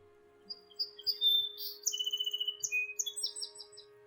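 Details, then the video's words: Song Sparrow, Ontario, Canada, singing a bright run of clear whistled notes then a rapid buzzy trill, over a faint steady hum; it sings well into summer to hold its nesting territory for two broods. "song sparrows are well named as their melodies are a welcome sign of the turning of the seasons"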